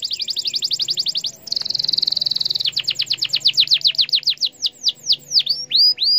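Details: Canary song for provoking other canaries: a fast high trill, a dense buzzing roll for over a second, then rapid chirps slowing into looping downslurred whistles.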